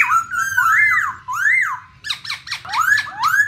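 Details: Female Black Laughingthrush in the 'ro ro' style, kept to stir other birds into singing: loud, clear whistled phrases that rise and fall, then a run of quick slurred notes.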